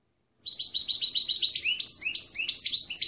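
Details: European goldfinch giving its clean song (canto limpio) in a recording used to teach other birds: a continuous rapid jumble of high tinkling chirps with downslurred, slightly buzzy notes woven through.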